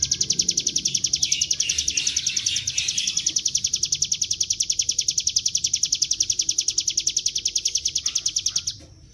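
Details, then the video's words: Bar-winged prinia, a lure recording of a bird in full, rattling 'ngebren' song meant to draw wild birds into singing: a fast, buzzy, high trill of sharp notes repeated about three to four times per second, sustained for eight seconds before stopping abruptly. "Pancingan bunyi CIBLEK GUNUNG dengan suara ciblek gunung GACOR NGEBREN"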